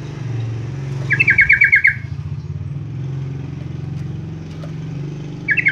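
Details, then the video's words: Yellow-vented bulbul (trucuk) recording used as a lure to get other bulbuls singing: a quick run of about seven bright chattering notes in under a second, starting again at the end, over steady passing-traffic rumble. "pancingan trucuk"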